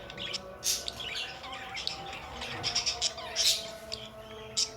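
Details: Pet budgerigars giving short, sharp, high chirps and scratchy squeaks in quick irregular bursts, with a faint steady tonal hum of background music underneath.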